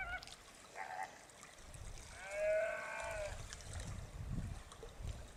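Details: Greater flamingo: a brief nasal note near the first second, then a longer, drawn-out honk that rises and falls, over low rumbling background noise.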